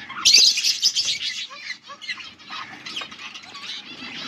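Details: Pair of pet budgerigars during breeding, August 2024: a loud burst of harsh scratchy chatter opens, followed by softer rapid twittering with short whistled slurs and chirps repeating irregularly.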